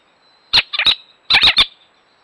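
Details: Little owl at a natural nest site giving sharp, harsh alarm notes in two quick bursts of three, each burst under half a second, in an otherwise quiet setting.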